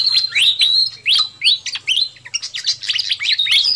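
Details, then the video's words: Busy pied fantail lure call meant to draw in wild birds: a short spell of sharp, upward- and downward-sliding whistled notes and scattered chirps, growing denser toward the end, with a low hum throughout. "Suara Pikat Burung Sikatan Kipas RIBUT"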